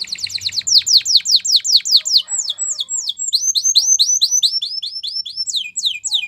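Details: Canary delivering a continuous stream of quick downslurred whistles that change halfway into upward-hooked notes, each repeated several times a second.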